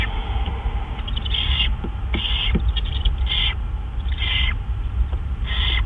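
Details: Owl at its nest on the evening of March 31, 2013, as prey (a gopher and a mouse) is brought in; harsh, hissing screeches repeated about every second, each roughly half a second long, over a steady low rumble.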